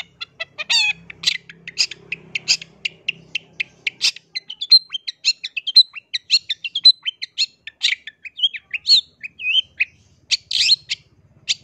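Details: Long-tailed shrike delivering a lure song to stir other shrikes into singing: a long run of crisp, rapid chips and ticks, turning into varied twittering, looping warbles and scratchy notes, with a faint low hum at first.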